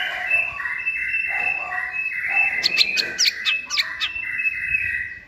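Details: Young caged White-rumped shama giving a multi-voiced giong day style song on a table: steady whistled tones broken by a burst of sharp, clicking high notes.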